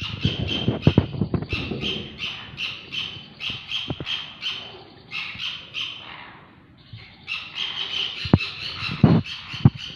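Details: Sun conure pair, parrots: rapid series of harsh squawking screeches, a short pause after six seconds, then a renewed burst, with knocks and handling thumps in the background.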